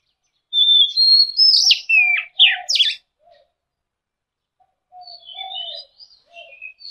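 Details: Oriental magpie-robin giving whistled and rasping song phrases for a few seconds, including falling slurs and buzzy notes, followed by softer, quieter whistled warbles in the background.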